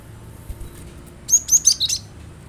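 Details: Cinereous tit song played to prompt a kept bird to sing along: a quick run of about five high, sharp whistled notes, some slurred downward, over a faint low hum.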